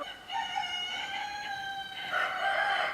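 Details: Partridge Araucana chicken giving a steady drawn-out harmonic call that swells louder in its last second.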